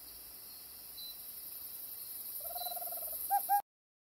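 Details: A resident tropical screech owl in Costa Rica gives a soft, quick purring trill followed by two louder, clipped hoots over a steady high insect hiss.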